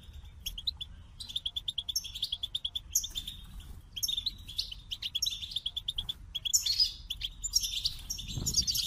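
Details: Singing goldfinch delivering a long run of rapid chirps and liquid trills, with short rattling bursts and a few sharp high squeaks; faint low rumble beneath and a dull thump near the end.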